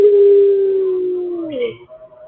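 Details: End of a long crow from a gacor Pelung chicken used as a lure: a steady, even, mid-pitched note held over a second and a half, then bending downward and fading away.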